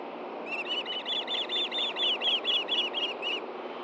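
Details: Osprey calling at a Montana nest camera in Hellgate Canyon during a morning fish delivery, male to female, in June; about fourteen loud, clipped whistled chirps in quick, even succession, then stopping, with continuous low rushing noise beneath.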